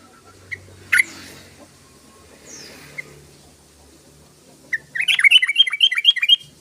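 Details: Yellow-vented bulbul in vigorous song, used to lure other bulbuls: after scattered faint chirps, a bright burst of rapid, bubbling, up-and-down notes lasts about a second and a half.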